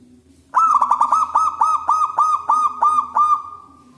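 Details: Zebra dove of a local wild strain, prized for a big, loud voice and used as a lure for trapping doves; a fast run of about ten clipped, mellow cooing notes ends in one long, steady, held coo.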